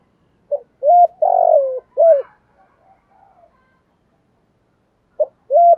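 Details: Repeated spotted dove phrase to stimulate a decoy bird: short note, rising coo, long drooping coo, final coo, then a quiet gap of faint murmurs before the phrase starts again.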